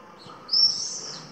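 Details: Pallid swift (Apus pallidus) at Cullera, Valencia, on the Mediterranean coast where it breeds, giving a single high, harsh, buzzy scream drawn out for under a second over faint background hiss.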